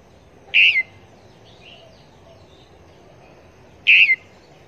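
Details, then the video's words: Trapping decoy, a Red-whiskered bulbul from Long Thành: two strong whistled calls roughly three seconds apart, each a clear note with a short falling tail. Softer distant chirps sound between them. "Chim Chào Mào Mồi Bao Dẫn Đi Bẫy"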